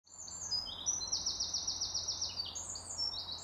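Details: Eurasian wren, one of two competing wrens taking turns to sing: a very high, fast, loud trill of sharp repeated notes sliding in pitch, over a steady low background hum.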